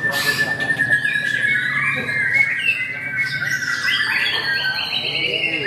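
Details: A White-rumped shama competing at a songbird contest sings loud, varied phrases of whistles and rapid trills, backed by a steady high tone and chatter from other caged birds and people.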